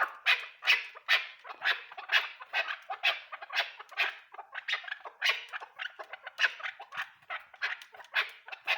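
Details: Chukar partridge giving loud, rough clucking bursts in a quick, uneven series of roughly two to three per second, some notes harsher and buzzier, each swelling and fading, with no other clear sounds.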